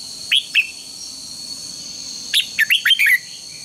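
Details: Red-whiskered bulbul lure song for morning contest training: two sharp, clear chirps, then a rapid run of bright, rising and falling warbled notes, over a steady high background whine.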